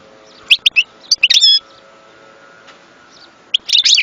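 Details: European goldfinch giving short bouts of high chirps and a brief twittering phrase, then a pause before a final buzzy burst. A steady low hum runs underneath.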